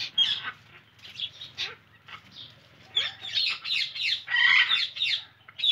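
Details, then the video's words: Indian ringneck parakeet giving a run of harsh, scratchy squawks and chattering calls in uneven bursts, some rising or falling, with short pauses between. "Lovely Indian Ringneck Parrot"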